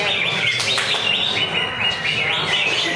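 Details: Caged greater green leafbird performing at a weekly Friday practice singing contest. It gives loud, rapid whistled phrases that slur up and down, with quick trills, over a chattering background of other competing birds and people.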